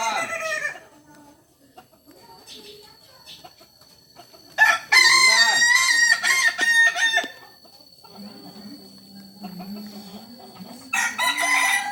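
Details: Kukuak Balenggek rooster from Solok giving repeated crows: a short crow at the start, a loud, stepped crow of nearly three seconds mid-way, low droning notes after it, and another crow beginning at the end.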